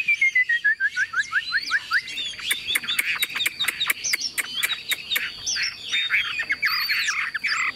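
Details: Newly acquired tame Chinese Hwamei, kept caged with yellow legs and bill: a falling series of whistled notes leads into a dense burst of sharp clicks and quick jumbled warbling phrases, loud and continuous.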